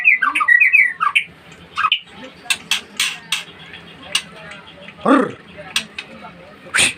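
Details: White-rumped shama, a named competition bird, singing rich whistled phrases that rise and fall over the first two seconds, followed by sharp clicking notes and a deeper squawk.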